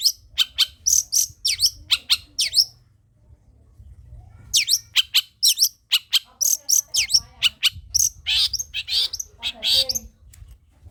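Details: Long-tailed shrike singing, used to goad lazy shrikes into song: dense bursts of harsh, high chattering notes and squeaky slurs in quick series, a two-second pause, then a longer varied stretch, over a faint low hum.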